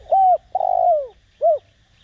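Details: Spotted dove used as a decoy to stir other doves into cooing, Đồng Rặc voice style; one full phrase of a mellow coo, a long drawn note sliding downward, and a brief final coo after a pause.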